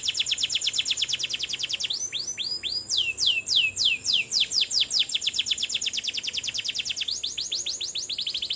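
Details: Canary singing persistently in a rolling 'ngerol' style; a rapid series of high, sweeping whistled notes, some downslurred, some rising, delivered in fast trills and slower phrases over eight seconds with almost no pause.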